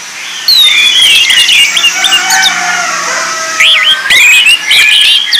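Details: Lure song of the orange-headed thrush for training birds: after a quiet start, bright whistled notes and twisting slurred phrases pour out, with a softer steady background tone and a few sharp chips.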